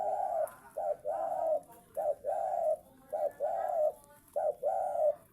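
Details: Spotted dove singing: repeated phrases of a short coo followed by a longer level coo, about four pairs in quick succession, over a steady hiss with faint clicks.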